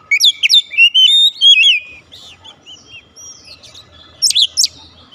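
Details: Oriental magpie-robin song to encourage a quiet bird to sing: a rapid opening run of sharp chips and wavering whistles, then softer scattered notes and a final pair of high, piercing squeaks.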